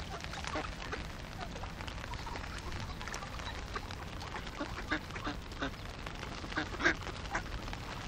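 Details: A crowd of about 50 hungry ducks, their rasping quacks overlapping into a constant clamour, one loud call bursting out late on, all above a low steady background rumble.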